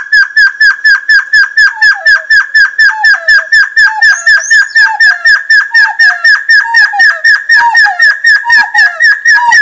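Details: Red-billed Partridge lure sound: rapid high whistles, roughly four a second, overlaid by a second voice giving lower, descending slurred whistles.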